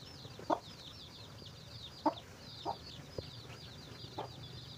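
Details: Chicken finding food for its chicks: a few short, low, throaty clucks spaced about a second or more apart, over a steady stream of high, thin, downslurred peeps from the chicks and a low background hum.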